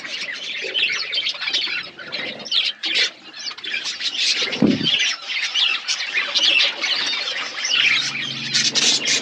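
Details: Budgerigars chirping in a colony setup, dense high chatter and squawks throughout, with a low thump midway and a low hum near the end.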